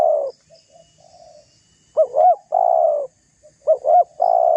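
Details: Provoking coos of a spotted dove meant to rouse other doves' anger: two quick looping notes then a drawn-out even coo, repeated twice, with faint softer coos before.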